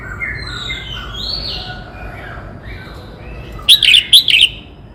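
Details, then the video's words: Red-whiskered bulbul from Cao Bằng, Vietnam, singing: faint whistled notes sliding between mid and high pitch, then a loud burst of three sharp, bright chattering phrases near the end over a low background hum. "Tiếng chim Chào mào hót - Chim chào mào Cao Bằng hót cực hay"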